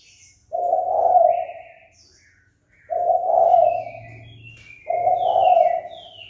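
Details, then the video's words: Spotted dove call meant to provoke fighting: three steady low coos about two seconds apart, while other small birds chirp and whistle higher in the background and a low hum runs underneath. "Cu gáy chơi cực hay kích bổi đấu ngay!"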